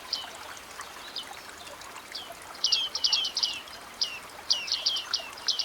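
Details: Bearded reedlings in a reed-bed wetland give short, metallic 'ping' calls, high and twangy, in scattered bursts of two or three, over a soft wetland hiss.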